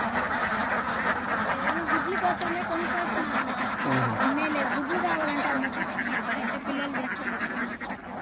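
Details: A large group of ducks quacking continuously, many overlapping nasal calls forming a dense chattering din with rapid irregular bursts, and a faint low voice briefly audible in the background.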